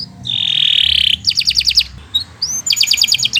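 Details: Canary singing a long song used for training other birds: a steady buzzy whistle, then quick bursts of high staccato trills separated by short pauses.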